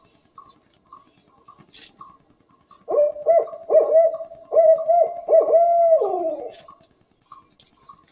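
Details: Barred Owl in woods, reported hooting at night or early evening in fall, gives a rhythmic run of deep barking 'who cooks for you' hoots ending in a falling 'you-all'; faint bird notes and a knocking said to be a cuckoo.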